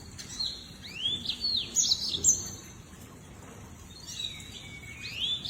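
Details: Lemon-breasted canary, a southern African finch of dry shrubland and savannah, singing a brief phrase of curved upslurred whistles and high chirps, then a quieter follow-up of similar arched notes.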